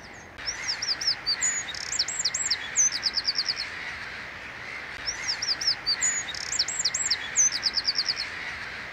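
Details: A Eurasian wren in West Yorkshire, early April 2021, sings its loud spring territorial song: two high bursts of rapid trills and sharp notes, each about three seconds long, over a steady background hiss.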